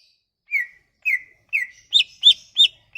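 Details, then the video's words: Sumatran leafbird song as a lure to make leafbirds sing: three downward-slurred whistles followed by three quicker, higher sharp notes. "Kicauan ini MAMPU memikat cucak ijo MACET bunyi"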